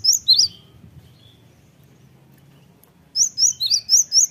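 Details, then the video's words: Cinereous Tit song played as a lure for other tits to respond: a couple of sharp high whistled notes, a pause of near silence, then a run of five bright repeated phrases. "gelatik batu apapun 100% nyaut gacor dengan pancingan gelatik ini"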